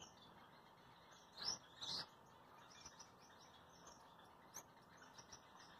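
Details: Gouldian finch (red head, purple breast, green back) of a pair ready to breed, during courtship dance, giving thin, high chirps, with two brighter notes close together and scattered soft ticks over a steady background hum.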